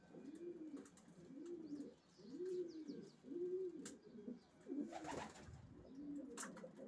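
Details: Racing pigeons cooing: a run of low, rounded coo notes, each swelling and falling, about one per second, with faint high chirps and a few sharp clicks behind them.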